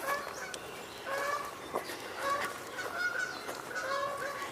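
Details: Several Canada geese honk in overlapping, nasal, two-toned calls, about one a second, in a loose chorus, apparently flying in and landing at a wetland with mallards, 14 May 2022, over faint steady background hiss.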